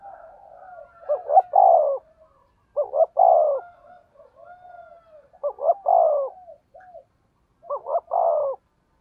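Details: Decoy spotted dove, 'thổ' voice, delivering 'thúc gù' coos: four phrases of short paired notes ending in a drawn, descending coo, with faint soft notes filling the gaps.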